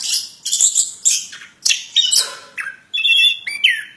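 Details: Plontang bird singing in loud bursts of scratchy high notes, ending with a clearer whistled phrase that sweeps downward, with short silences between bursts.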